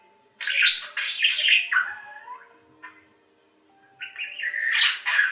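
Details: Budgerigar calling from silence with a loud, scratchy warbled phrase that trails off, a pause of about a second, then a rising, buzzy chirping phrase.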